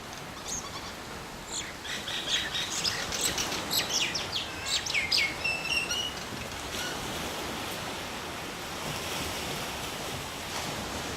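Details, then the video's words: A pair of mynas giving a burst of bright chirps and short upslurred whistles for about four seconds, then falling quiet against a constant rushing background noise. "TWO MYNA BIRDS"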